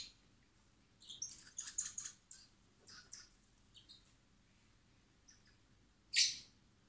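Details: Common blackbird chicks hand-fed in spring at a wildlife recovery centre before release; a burst of high, thin, clustered begging squeaks, then scattered chirps and one loud harsh squeal near the end.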